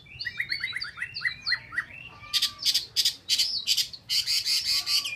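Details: Chinese hwamei, a Vietnamese cage bird, opens with a quick series of clear downslurred whistles, then switches to loud harsh buzzy bursts repeated in uneven bouts.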